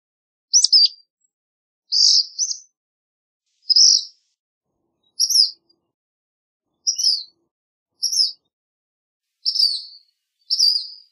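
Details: Black phoebe song: eight brisk, high, buzzy chips delivered at uneven intervals of one to two seconds, each note sharp and clipped, against silence.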